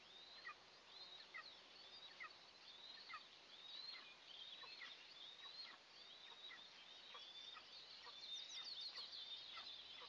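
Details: Two Eastern imperial eagle eaglets on their nest at the first feeding of the day, 29 June 2024, nest camera. A busy run of high, piercing chirps that slide downward, coming about once a second, louder near the end, over constant hiss.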